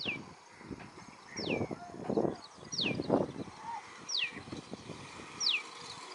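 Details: A common tailorbird in breeding plumage repeats a sharp, high, downward-slurred note about every second and a half while catching and eating butterflies and bugs.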